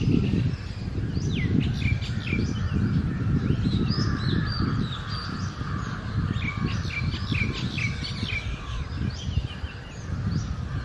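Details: A male and female Oriental magpie-robin sing in the early morning of the summer breeding season: varied, clear whistled phrases with quick rising and falling notes, over a steady low rumble of wind or traffic.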